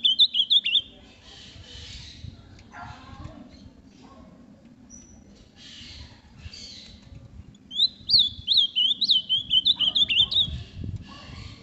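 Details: Captive ultramarine grosbeak from a Brazilian breeding setup sings bright whistled notes that swoop up and down, a short burst at the start and a longer run near the end, with faint chirps and low hum between.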